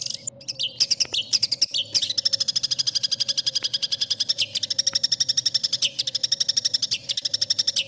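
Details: Long-tailed shrike masteran song with full fill-ins, sought by contest judges: a few varied chirps, then a long rapid roll of identical high, buzzy notes repeated several times a second for about six seconds, with a faint hum behind.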